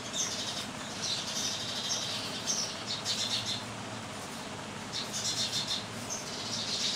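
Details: Indian house sparrows chirp in a dense, overlapping chatter of short, bright notes, swelling in bursts over a steady background hiss.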